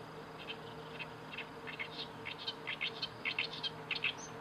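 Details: On 31 May 2012, an Oriental reed warbler sings harsh, scratchy chattering notes in quick, uneven bursts, growing louder toward the end, over a faint steady low hum.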